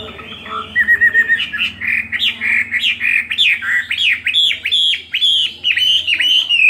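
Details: Fighting song of a Chinese hwamei kept two years in a cage, singing in full spread display: a short stuttering trill opens, then strong, ringing whistled phrases of swooping, dipping notes, over a quiet low background hum.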